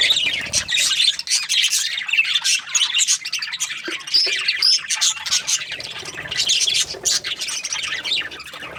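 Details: A budgerigar kept as a pet, described as happy, chattering almost continuously with dense, shrill, squawky warbling and sharp chirps.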